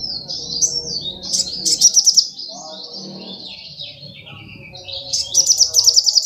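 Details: Sogok ontong in energetic song, pouring out a continuous stream of high warbled and chattering phrases, with bursts of fast sharp repeated notes at the start and near the end; faint low background hum.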